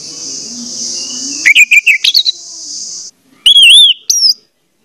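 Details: Orange-headed thrush singing over a steady hiss, meant to trigger a quiet bird to sing: a fast series of clipped notes, then after the hiss stops, clear wavering whistles and a high slurred note.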